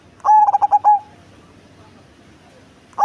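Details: Cemani zebra dove, large in body and deep-voiced, sings a stuttering coo of quick pulses ending in a drawn-out tone. A quiet pause follows, then the next phrase begins at the very end.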